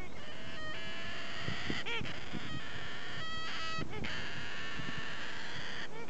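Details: Solomons cockatoo × little corella hybrid cockatoo, recorded 1 August 2015. Gives rough, nasal, screeching calls, some drawn out and others clipped, repeated every second or so over a constant low noise floor.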